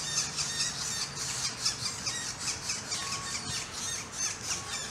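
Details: Northern flicker chicks sparring, one chick attacking his brother after the brother got most of the food: a dense, raspy, high-pitched squealing chorus, harsh pulses overlapping several times a second, a low hum beneath.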